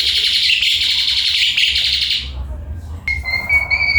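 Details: Black-collared starling giving a long rasping, buzzy chatter that fades out, followed by a few clear, steady whistled notes.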